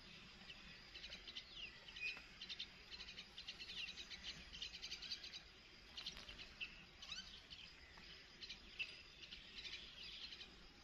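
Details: Adult myna bringing food to its baby: a busy stream of high, scratchy chirps and chatter, some clearer whistled squeaks, over soft outdoor ambient noise.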